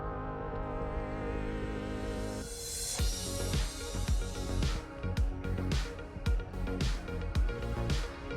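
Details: Upbeat electronic music with strong percussion and layered synth tones, no animal sounds.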